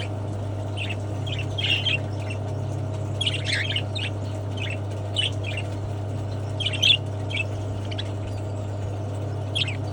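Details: Cockatiels in an aviary during autumn showers give short, bright chirps and squawky notes at irregular intervals over a steady low hum.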